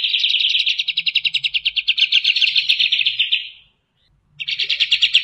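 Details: Rapid-fire 'tembakan' song of the striated grassbird (kapas tembak), fast and tight: a high buzzy trill pulsing steadily for over three seconds, a brief pause, then the trill starting again, with faint low rumble beneath.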